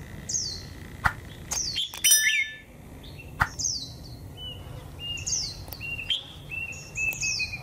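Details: On a cold day at 11 °C, a Japanese white-eye delivers 'họa kép' song with 'líu thung' passages: high, thin downslurred whistles repeated every second or so, a brief twittering flourish, and occasional sharp clicks.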